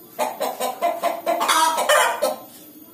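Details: Hen ready to lay an egg gives a quick series of short clucks, about five evenly spaced notes rising into a louder, drawn-out cackle.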